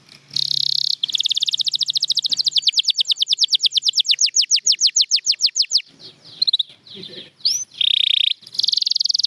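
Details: Champion canary song, including Gloster canary: a buzzy opening note, then a long rapid trill slowing into separate descending notes, followed by scattered calls and a final buzzy trill.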